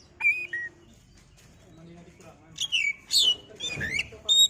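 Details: Oriental magpie-robin singing as a provoking lure for other magpie-robins: scattered thin whistles early, then loud bursts of sharp, warbled, slurred notes, with a soft voice murmuring in the background.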